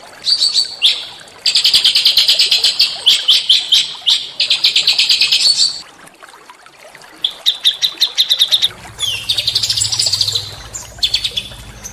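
Small songbirds give very high, fast chattering trills in bursts of a second or two, with brief pauses between. A faint low hum enters near the end.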